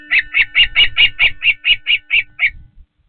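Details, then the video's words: Osprey at Patuxent River Park Osprey Nest 1 during feeding: eleven sharp, high chirped notes in a rapid, steady series over about two and a half seconds, with a faint steady hum running underneath, then quiet. "Sneezing, Feeding, and Humming? Weird sound is the Hum? - Patuxent River Park Osprey Nest 1"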